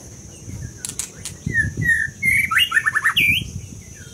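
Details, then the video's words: Low background rumble under a scarlet minivet's song: separate clear whistles, then a fast tumbling run of down-slurred notes finishing on a higher twisted whistle, with a few clicks before. "Lửa siêu hót"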